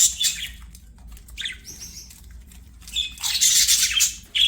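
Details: Playful budgies singing: rough, buzzy warbles and squeaky chirps, a soft whistled note in the middle, then a loud dense burst of chatter near the end.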